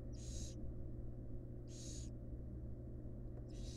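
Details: Barn owl fledglings with their feeding mother inside a monitored nest box: two loud, noisy hissing bursts and the start of a third, about one and a half seconds apart, over a low hum.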